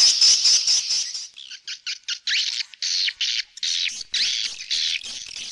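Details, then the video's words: Swallow giving high, dense chatter that breaks into a series of separate sharp chirps, each falling slightly in pitch, with short gaps between them. "เสียงนกนางแอ่น Swallow Sound"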